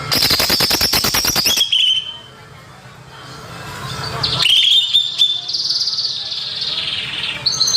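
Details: Greater green leafbird song played as a lure for unschooled young birds: a fast rattling burst first, then a quieter pause, followed by high clear whistles and warbled phrases.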